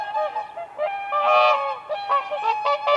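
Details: Whooper swans on ice in spring trade short nasal honks, a few overlapping, with a louder call in the middle.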